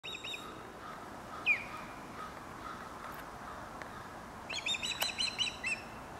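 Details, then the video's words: Osprey calling in Dartmouth, Nova Scotia: a single sharp downslurred whistle, then after a pause a quick run of about six high, bright chirps with ringing overtones over a soft background hiss. "Osprey Calling"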